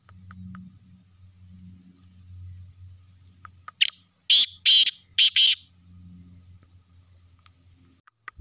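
A Black Francolin gives a brief run of four or five harsh, grating, high notes in quick succession over a steady low hum.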